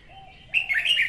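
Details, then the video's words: A female red-whiskered bulbul sings in the morning, a recording meant to train birds to sing and draw them to traps: a quiet lead-in, then a run of loud, liquid, rolling whistled notes. "Tiếng Chào Mào hót sáng kích chào mào hót, chào mào gọi bổi"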